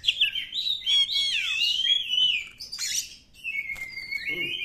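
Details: Wild Oriental magpie-robin song: clear, sweet whistles sliding down, then buzzy trilled notes and a long steady whistle, given as varied rapid phrases in a quiet setting.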